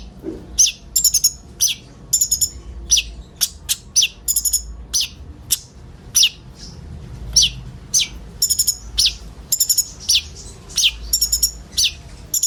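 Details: Group of common ioras giving a song filled with other birds' notes, meant to draw in sunbirds: a long, steady series of high chirps, trills and quick downslurred whistles, about two to three bursts per second.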